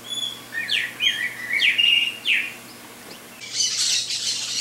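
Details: Saffron finch, Sicalis flaveola, giving several sharp, sliding whistled notes in quick succession, each rising then dipping, followed by a burst of broad hissy noise near the end.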